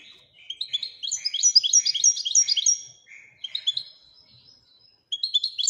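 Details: European goldfinch from Morocco performing Widaniya-style song, a fast, continuous, liquid twitter of high tinkling notes with buzzy trills, easing briefly, then resuming.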